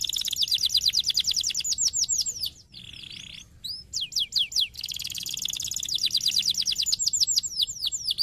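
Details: Stimulating canary song for other canaries: long, dense high trills, broken by a short buzzy pause with a few rising whistles, then rapid chirping trills resuming.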